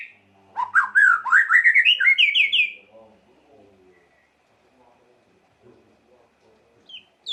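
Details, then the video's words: White-rumped shama song for provoking emotion: one brief accelerating phrase of rising rapid notes climbing in pitch, followed by a long quiet stretch with faint low murmurs. "Lengkingan KICAU MURAI yang satu ini wajib disimak untuk pancingan emosi Murai Batu"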